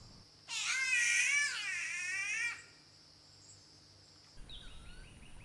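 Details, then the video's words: Green catbird in Australian rainforest understory giving a drawn-out, cat-like wavering meow lasting about two seconds, followed by a quiet pause, then faint rapid notes from another bird against forest background noise. "known for their cat-like meowing calls"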